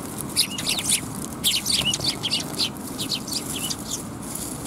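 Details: Sparrows at a Tenmangu shrine, recorded in the afternoon of 10 December 2021: a busy flock chattering with quick, high, overlapping chirps and twitters, over a steady low background hum.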